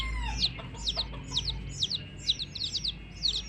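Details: Hen chicks peep in spaced bursts about every half second, each a bright descending chirp, with a lower sliding tone at the start and a soft background hum.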